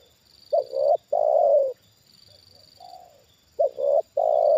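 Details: Trained decoy spotted dove reacting to a wild bird lured down a second time, giving loud low coos: a short double note then a long sustained coo, phrase repeated twice; faint softer coo between, steady high insect-like hum behind.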